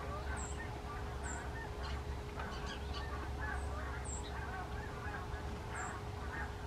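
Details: Canada geese flying in formation, giving scattered honking calls several times a second over a steady low rumble, with a faint constant hum and occasional high chirps above.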